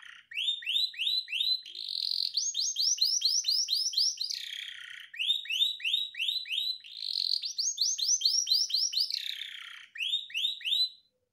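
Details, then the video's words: Caged canary in a long, varied master song for training other birds, best played morning and night: fast series of repeated down-slurred whistles, about four per second, broken by buzzy rattles, rising into higher rolling phrases twice. "KENARI CENGKOK UNIK DURASI PANJANG(masteran)"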